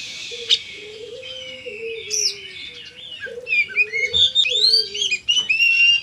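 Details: Kacer, the Oriental magpie-robin, singing gacor style: long sweeping whistles followed by a fast run of bright chirps and slurred notes, accompanied by a lower whistling bird and a faint thump.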